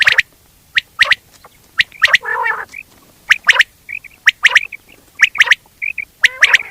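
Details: Common quail giving repeated short sharp notes in quick clusters, about one group per second, mixed with a brief rasping burst and soft thin whistles.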